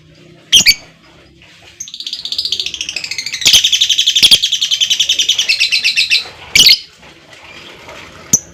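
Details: Lovebird long trill, played to encourage other lovebirds to sing: a sharp tick, then a sustained rapid chattering trill of buzzy pulsed notes for over four seconds, growing louder midway, ending with a few clicks.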